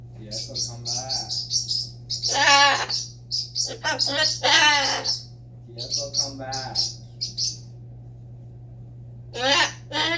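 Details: Parrot talking, with bursts of speech-like harmonic phrases mixed with sharp high chirps and whistles, then a quiet pause before a final shrill call; faint background hum.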